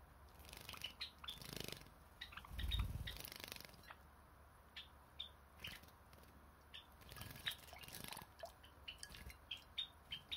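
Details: Pet Java sparrows chirping busily: rapid, irregular short high notes repeated several times a second, broken by low thumps and rustling from movement, with a faint steady hum behind.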